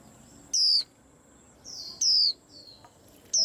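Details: Excited white-eye chatter: loud, high, downward-sliding whistles repeated roughly every second and a half, with softer thin notes from other birds between them.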